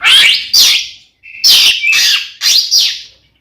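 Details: Oriental magpie-robin singing a fighting song meant to provoke rival magpie-robins: loud paired whistled-buzzy phrases sweeping through high pitches, three bursts about a second apart with short gaps.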